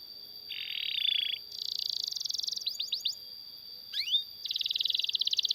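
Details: Long canary song used as a master to train other canaries: a sustained buzzy note, a fast trill, a few quick upswept chips, a rising slur, then another rapid pulsing trill, with a steady high tone throughout.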